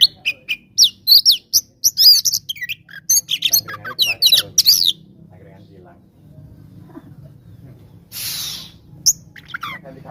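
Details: Oriental magpie-robin giving a bold, fast fighting song meant to rile rivals: about five seconds of quick high chirps and twisting whistles, then quiet with faint background hum and one short hissing burst.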